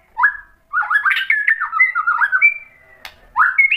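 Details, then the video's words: White-rumped shama song used to provoke other birds into singing, a lively string of warbled, wavering whistles and quick up-and-down notes, ending with a long level whistle and a rising phrase. "KICAUAN MURAI BATU merangsang EMOSI jadi NYAUT GACOR NGEPLONG BONGKAR MATERI | PANCINGAN MURAI"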